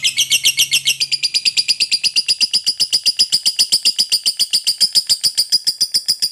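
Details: Lovebird in long ngekek chatter, a song meant to coax other lovebirds into singing: steady rapid high rattle of sharp repeated notes, rising slightly early on and then holding a buzzy even rhythm throughout.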